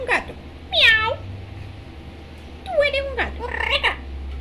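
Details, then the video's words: A female parrot talking with dad and mom gives a few short, nasal, speech-like phrases with bending pitch, one near the start and a cluster about three seconds later, over a steady low hum. "Lora HABLANDO con Papa y Mama"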